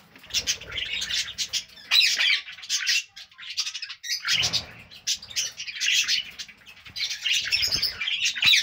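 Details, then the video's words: A near-continuous, busy stream of budgie chirps: rapid, scratchy high-pitched warbling that swells and fades in waves, broken by brief pauses, with some low thumping sounds beneath. "Beautiful Birds chirping sound | Budgie parrot sound"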